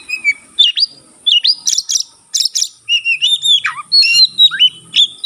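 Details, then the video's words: White-rumped shama in full song, tail fanned, its singing meant to set other shamas singing: rich whistled notes, sweeping slurs, a descending whistle and harsh buzzy bursts, delivered in rapid varied phrases. "burung kacer gacor buka ekor sekali bunyi langsung bisa merangsang kacerlain gacor"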